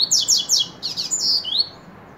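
A Double-collared Seedeater sings a quick phrase of high, sharply slurred downward notes that runs for about a second and a half, then stops, in a quiet room.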